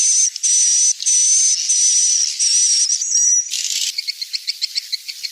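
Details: Edible-nest swiftlet twittering played to lure the birds to roost at dusk: long shrill buzzy trills broken by short gaps, then a quicker series of separate high clicking chirps.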